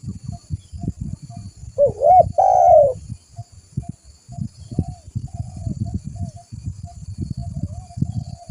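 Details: Spotted dove (tekukur) calling vigorously, a recording used as a lure and training call: one clear burst of arched, mellow cooing notes near the two-second mark, then only faint coos over steady low rumbling background noise.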